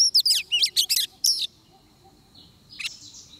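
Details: Oriental magpie-robin song recorded during trapping: a quick run of loud, varied whistled and chirped notes for about a second and a half, then near silence with one faint later note.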